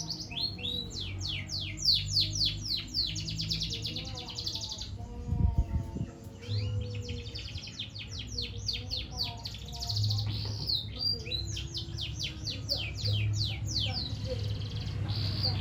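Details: Juvenile canary practising its song, delivering long bursts of rapid, sharp chirps and sweeping trills interrupted by a brief pause and a thump, with quieter low warbles and steady low background noise throughout.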